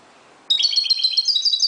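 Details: Moroccan European goldfinch singing at dawn: a sudden burst of rapid, high twittering notes with bright tinkling trills, starting after half a second of quiet and running to the end.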